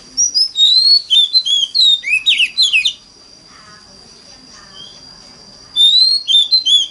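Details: Oriental magpie-robin lure song in a wild 'mountain forest' style, used to get other magpie-robins singing. Fast run of bright whistles and sharp chirps for three seconds, then a near-silent gap, then the whistled phrases start again.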